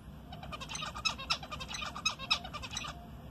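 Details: Pet zebra finch giving rapid, nasal, toy-trumpet beeps, several per second, answering its owner, who keeps saying "talk to me" nearby.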